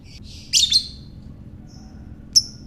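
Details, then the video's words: Lovebird calling, used to provoke another lovebird into ngekek chatter: one harsh, buzzy, high squawk of two quick parts, then a brief faint chirp and a short sharp note near the end. "Buat Mancing Lovebird Bagus Ini | Lovebird Ngekek"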